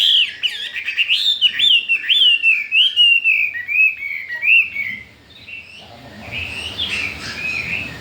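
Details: Caged Chinese hwamei, four days after arrival and already wanting to breed, sings a long, loud run of bouncing whistled notes. The notes fall gradually in pitch and end in softer warbling.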